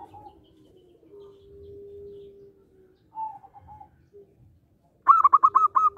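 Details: Local zebra dove singing actively, a loud rhythmic song suited for luring birds: a soft, low, drawn-out hum and short higher notes, then a loud burst of quick pulsed cooing notes repeated in rapid rhythm.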